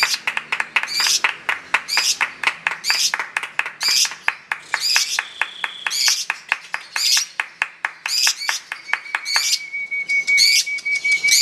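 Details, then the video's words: Lovebird at a song contest giving its long chatter: loud, harsh, buzzy notes repeated about once a second, with a thin steady whistle heard near the end. "Kicauan Pertarungan Love Bird Ngekek Panjang"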